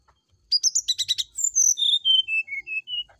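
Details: Brown-chested jungle flycatcher song in the morning, played as a lure to prompt a reply, in a flute-like style: a rapid run of buzzy trilled notes, then a falling series of clear high whistles, each slightly lower.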